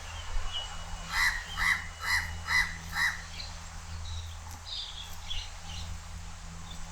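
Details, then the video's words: House crow perched high and calling loudly at Changi Beach Park, Singapore: a run of five harsh, nasal caws at an even pace of about two per second, over a steady low hum. "HOUSE CROW Call"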